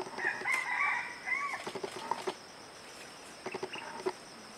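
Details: Bar-backed partridge at the forest edge of Kaeng Krachan National Park, 19 March 2012: a loud burst of clear whistled and warbling notes over the first two seconds, then scattered fainter, sharper notes against a steady high background hiss.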